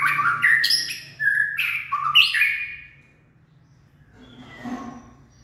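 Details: Late-afternoon song of a white-rumped shama recorded 18 February 2024: rich, varied whistled phrases with rising and falling slurs for about three seconds, then near silence with faint background rustle.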